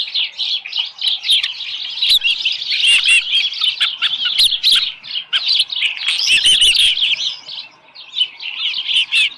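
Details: An osprey at the nest with a small live fish, 7:10 AM, 13 July 2018, calls almost nonstop, a dense stream of high whistled cheeps with slurred inflections, dropping briefly near the end before resuming.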